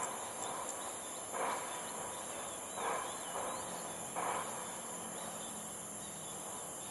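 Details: Ruddy-breasted crake calling at Jurong Lake Garden, 18 June: three or four abrupt, knocking mid-pitched notes spaced about one and a half seconds apart, with constant high insect buzz behind.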